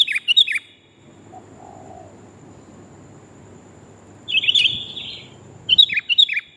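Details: Sooty-headed bulbul female luring the male: brief clusters of sharp, twittering chirps at the start and end, with a long quiet stretch between them.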